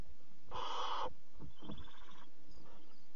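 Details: Barn owl in a nest box at night, 26 July 2017, the mother arriving with a bird as prey for the fourth chick; one loud, rough screeching hiss lasting half a second, then a fainter, thinner hiss and soft thuds.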